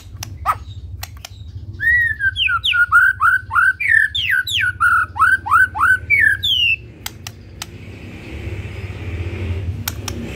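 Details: White-rumped shama of the Medan type, singing a full, lively song: a run of about a dozen clear whistled notes, each bending up and down, delivered rapidly over five seconds, then quiet with faint clicks.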